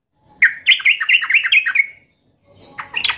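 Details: Yellow-vented bulbul in full song, answering and taunting a rival: a lively run of bubbly, liquid notes around the middle-high range, about a dozen in quick succession and fading at the end, followed by a brief pause and a few fainter chirps.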